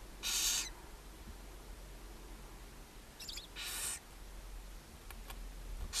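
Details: A barn owl mother feeds her seven owlets at a chimney nest box in Ságvár, Hungary, on May 4, 2024. Two moderately loud breathy hisses are heard, with faint clicks and a low background rumble.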